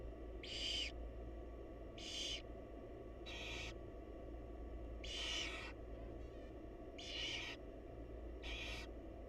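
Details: Barn owl mother feeding chicks in a nest box, wild birds: rasping screechy hisses in irregular bursts, some paired closely, others a second or more apart, with a constant low hum underneath.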